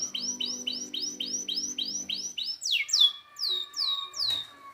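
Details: Canary tutor song for canaries that have stopped singing: a series of about eight arched whistled notes repeated rapidly, then a run of quick descending sweeps, with a faint low hum underneath.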